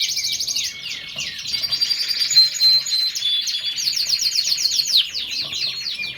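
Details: Lancashire canary singing a high, busy mix of short whistles, quick descending sweeps and rolling trills, with a few pure sustained tones threaded through.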